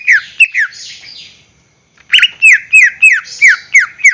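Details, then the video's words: A greater green leafbird sings to encourage caged birds to sing constantly. Falling whistled notes and a buzzy rasp come first, then after a brief pause a steady series of loud down-slurred whistles, roughly three per second. "PANCINGAN gacor cucak hijau suara Full panjang untuk pancingan burung bahan agar SELALU GACOR"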